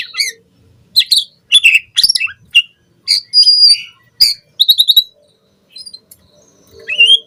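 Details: Lure recording of a captive white-rumped shama: scattered sharp high chips, short whistles and quick trills in uneven bursts with gaps of silence.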